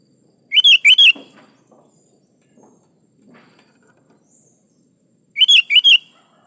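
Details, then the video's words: A vocally active sooty-headed bulbul (kutilang) singing as a lure for other birds. It gives two short bubbly phrases of four slurred whistles about five seconds apart, with faint soft clicks and rustles between. "SUARA BURUNG KUTILANG GACOR"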